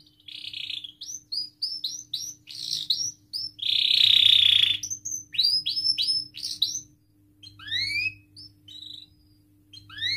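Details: Canary song used to prompt other canaries, made of separate short whistled slurs with a loud buzzy trill in the middle and scattered sweeping notes between quiet gaps.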